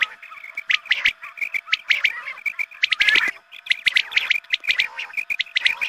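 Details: Quail calls used as a lure at dawn prayer time to draw quail in: dense bursts of sharp, chirping notes with many overlapping repeats and a brief noisy burst near the middle.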